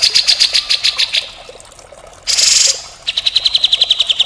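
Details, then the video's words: Grey-cheeked bulbul in full, constant song of the harsh rasping mbeset kasar style, used as a tutor recording: rapid runs of sharp high notes, a brief loud hissing burst midway, then another fast even series of bright chips. "masteran cucak jenggot gacor full mbeset kasar"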